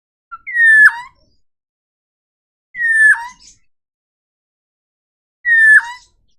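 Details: Dark-throated oriole (Oriolus xanthonotus), call.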